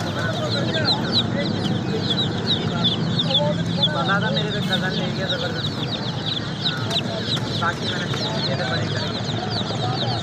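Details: Many baby chicks chirp continuously in high, quick peeps, while lower, softer clucking notes rise and fall beneath them and a low rumbling hum runs throughout.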